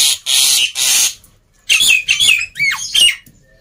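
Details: Black-winged myna singing loudly and busily, used to prompt quiet mynas to sing: harsh broadband screeches alternating with sharp whistled notes, some falling steeply, in short bursts.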